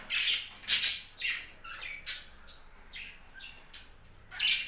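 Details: Budgerigars from a home budgie farm squawk and chirp in quick uneven bursts, high scratchy notes with short gaps, low hum underneath.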